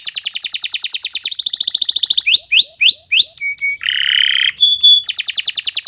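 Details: Kenari Nusantara canary song for training other birds: fast rolling trills, a set of rising hooked whistles repeated about every half second, sharp pure notes, a buzzy rattle, and a closing rapid trill.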